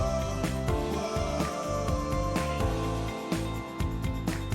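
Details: Instrumental music with a steady rhythmic beat and sustained tones throughout; no animal sounds are heard.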